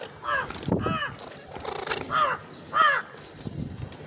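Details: Ringneck parrot calling in rough, hoarse bursts: four strong harmonic squawks spread over four seconds, each rising then falling, with quiet pauses between.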